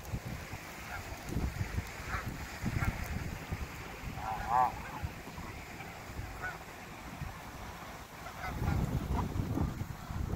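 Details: Wild Canada geese in their natural habitat in a Canadian park during fall, with scattered nasal honks rising above steady low rumble of wind and background noise.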